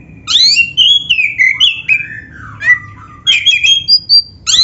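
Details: Loud, varied song of a black-breasted oriental magpie-robin full of mimicked fill-in phrases, played to spur other magpie-robins into song; quick sliding whistles, harsh chattering notes and high clear tones follow one another without pause.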